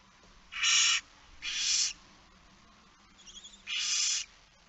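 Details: Barn owl chick alone in the nest, evening of 9 September 2019 (20:09): three loud rasping hisses with a brief burst of high chittering between the second and third.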